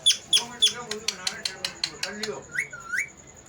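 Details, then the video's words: Pet parrot talking, repeating the word mithu: a run of short clipped bright syllables with harmonic bands, then two rising whistled notes near the end. "parrot talking mithu | mithu mithu"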